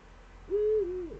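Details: Eurasian eagle-owl recorded in the Eifel on a September 2013 morning near seven o'clock: one clean, steady hoot that steps down slightly and then trails off, with a soft background hum.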